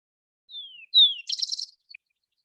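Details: Vesper Sparrow in eastern Washington shrub-steppe sings two clear, slurred whistles that drop in pitch, then a rapid, buzzy jumble of high trills ending with a tiny note.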